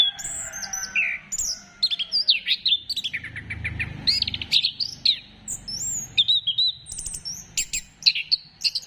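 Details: Orange-headed thrush song used as a lure to stimulate other birds to sing: a rich, varied run of clear whistles, rising and falling slurs and rapid chattering, bunched notes, nearly continuous across the whole stretch, over a low background hum.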